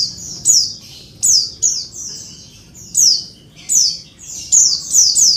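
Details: Noisy female Oriental white-eye calling so males respond and sing quickly: rapid series of very high, thin, falling notes in clustered bursts of two to four, almost continuous across the stretch, over soft low hum.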